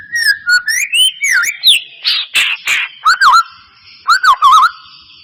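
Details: White-rumped shama song played as a lure to coax a bird that is reluctant to sing: rich, varied whistled phrases, rising and falling slurs, some buzzy harsh notes and quick wavering trills, in a steady run of short bursts.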